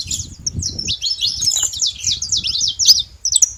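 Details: Wild saffron finches in a flock at a bait site; a brief dense burst of high, buzzy-edged chirps and slurred notes from several birds, with faint low rustling.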